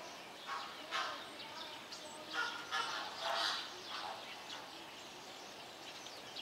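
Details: Greater flamingos in captivity at Opole Zoo give a loose series of nasal, goose-like honks, spaced irregularly about every half second to a second, with faint background chatter from other birds.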